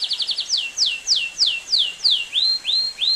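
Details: Belgian canary song with a fast burst of high chips, a series of slower downslurred whistles, then rising upslurred notes, clear and loud throughout.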